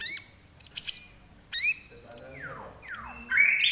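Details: Common iora giving spaced, sharp upslurred chips with high overtones, followed by a longer descending sweep and a rising whistled phrase at the end.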